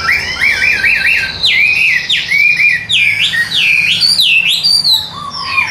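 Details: A tame caged Chinese hwamei, said to sing while carried by hand and to fan its tail when fighting, sings loud, rich, evenly delivered whistled phrases that swoop up and down, with quick slurred notes run together.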